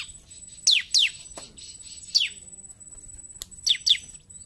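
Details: Ciblek, or bar-winged prinia, in combative 'narung' singing: clear, piercing notes dropping quickly from very high pitch, delivered in spaced pairs with short gaps, a few clicks and a faint constant high tone in the background.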